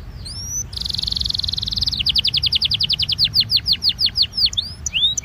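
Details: 'Incarte' song of a Belgian canary for warming up canaries: upslurred whistles, a sustained buzzy trill around two seconds long, then a slower series of clear downward-sweeping notes repeated about twice per second.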